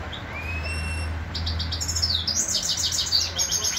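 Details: Grey-crowned goldfinch singing in Khujand: a faint steady high whistle-like tone at first, then from about one second in a fast, dense run of sharp high chirps and twittering trills to the end, over a constant low hum.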